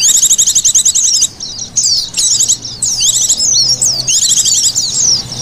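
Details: Sound used to lure white-eyes: an opening burst of fast, stuttering high trills, then sharp falling whistles and chattering chirp runs repeated in bursts.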